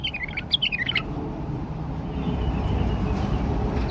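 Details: A caged male bulbul in Baghdad gives a short burst of bright, liquid whistled notes in the first second, followed by low rumbling background noise and a faint voice.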